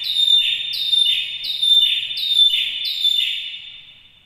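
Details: Canary song offered as a training model for other canaries: five loud, evenly spaced down-slurred whistled notes, roughly one every 0.7 seconds, ringing high and fading at the end.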